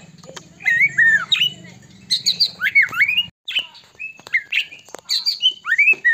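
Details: Loud White-rumped shama song played to excite other shamas into singing; rapid mix of whistled slurs, sharp clicks and chattering notes, with a low mechanical hum at the start.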